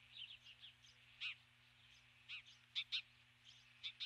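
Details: Female osprey on her nest at dusk after landing with a stick, calling for her mate who does not come; short high chirping call notes in scattered bursts, some doubled, over a low steady hum.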